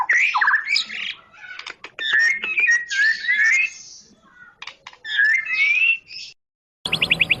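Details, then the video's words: White-rumped shama of the Medan variety sings varied whistled and buzzy phrases mixed with sharp clicking sounds. After a brief silence, a different high trilling sound cuts in at the end. "kicau murai medan"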